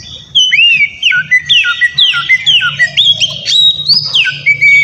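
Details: White-rumped shama (kacer) song used as a lure to make rival birds answer: loud looping whistles that dip and rise, repeated in a lively sequence above a steady low hum.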